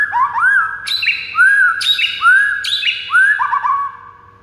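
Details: White-rumped shama song, played to provoke silent rival birds into singing fiercely: loud whistled notes that sweep up and fall, repeated roughly every second, with sharp high overtone-rich accents between them and a faint steady hum.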